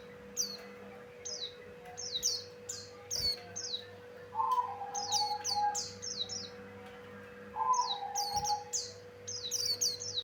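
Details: Male Javan grey-throated white-eye, lure song: many high, falling chirps in bursts, with two lower drawn-out whistled phrases from another sound source in the middle and a steady hum throughout.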